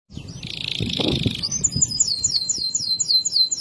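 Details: Canary in loper style, loud and clear, singing a harsh buzzy burst around mid pitch that breaks into rapid high rolled trills of repeated slurred notes, with soft low rustling underneath.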